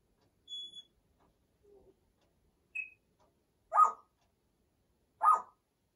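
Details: A 34-year-old pet female Congo African grey parrot talking herself to sleep indoors: a short pure whistle, a few soft murmurs, then two louder raspy chattering syllables about one and a half seconds apart.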